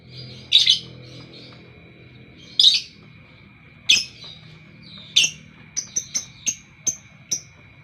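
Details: Lovebird singing in the morning: harsh, buzzy chirp bursts about every one to two seconds, then a quick series of six short, high, clipped notes in steady rhythm, with a faint steady whine behind.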